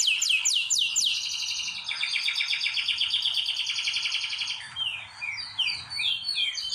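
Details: Song of a canary kept in a breeding room during preparation and pairing; quick descending whistled notes give way to a sustained dense buzzy trill, then scattered chirping phrases near the end.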